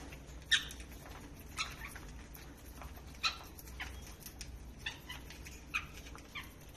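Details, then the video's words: Green lovebirds in Bangladesh, playing and feeding, giving sharp, high chirps, about eight in under seven seconds at an uneven pace, over a low steady hum. "love birds singings and chirping sound"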